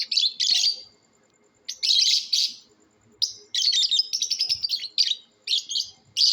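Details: Competing lovebirds calling naturally: bursts of shrill, scratchy chirps, with a long stretch of rapid stuttering chatter in the middle and several shorter screechy phrases after brief gaps.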